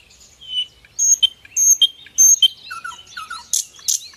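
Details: Common nightingale, known in Indonesia as sikatan londo, singing as a training bird: bright high whistles and buzzy notes in quick phrases, lower fluty slurs, ending with two loud harsh bursts.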